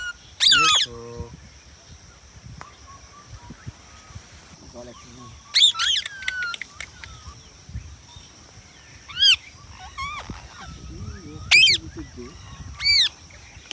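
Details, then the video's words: An Indian ringneck (rose-ringed parakeet) gives sharp, high screeches in short bursts, five or six across the stretch with quiet gaps between, plus a few softer chattering notes. "Indian Ringneck parrot"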